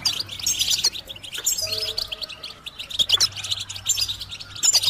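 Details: Goldfinch singing as a recording meant to prompt other birds into song: fast, bright twitters and tinkling phrases with a few rasping buzzes, dense and unbroken, over a quiet low hum.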